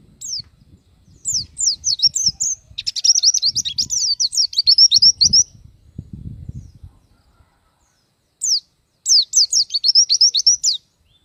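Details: Oriental white-eye in busy gacor singing, showing off its range of phrases: bursts of very high, fast, descending chirps run into dense twittering, a short pause, then another rapid twittering phrase, with faint low rumble beneath.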